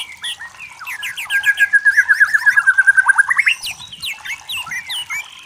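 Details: Wild forest white-rumped shama in full song: scattered sharp notes lead into a long, even rattling trill of about fifteen pulses, followed by quick high chips and slurred whistles.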